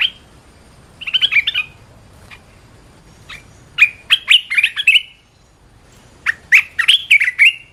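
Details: Red-whiskered bulbul kept in a cage, giving a training song: a short warbled phrase, a lone note, then two longer rapid phrases of bright, slurred whistles that rise and fall.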